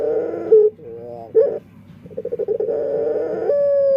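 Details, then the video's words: Dove singing in an unusual voice: throaty rolling coos and a brief pause, then a long purring trill that turns into a steady held hoot. "Suara Unik Burung Puter // Unique Sound Singing of dove"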